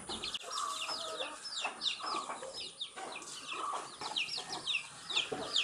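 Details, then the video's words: A group of baby chicks peeping as they eat earthworms, steady high wavering cheeps from several birds overlapping, plus some lower brief notes and background rustling. "Cute Baby Chicks eating earthworms and chirping sound"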